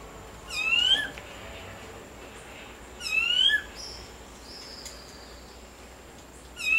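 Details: A clay-colored thrush, Costa Rica's national bird (yigüirro), gives a whiny, upslurred call about every three seconds, three times in all, over a steady hiss with a faint thin whistle between.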